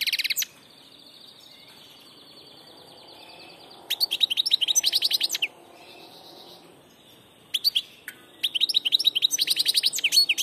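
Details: Goldfinch song of the passage type: fast, liquid twittering phrases break up long, steady, thin whistled tones, with three separate bursts over ten seconds.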